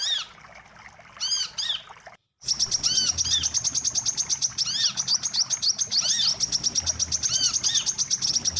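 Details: Trapping lure of wiceh bird calls: a few arched whistles, then a brief silent break, followed by a dense, rapid string of high ticking chirps with repeated curved whistles mixed in.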